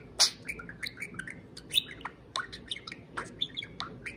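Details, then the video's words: Pet parakeet serenading a can of beer indoors: rapid, varied chirps and short whistled notes, some sliding, with sharp high clicks scattered through and a loud squeak at the end. "Pixel the Parakeet Talks + Kiwi serenades a can of beer"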